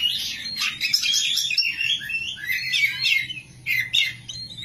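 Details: Kacer, or oriental magpie-robin, kept for singing competitions, delivering loud varied song: sweeping whistled phrases, scratchy chatter and rapid trills, with short dips between bursts, over a faint steady low hum.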